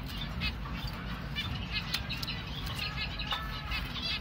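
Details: Baby finch chick being hand-fed, giving short, rapid, high chirps in uneven bursts over a steady low background hum.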